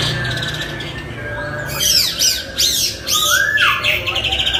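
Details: Chinese hwamei tutor song: after a quiet start with a low hum, loud arching whistled notes burst out, then a rising slurred whistle and a fast closing run of repeated notes.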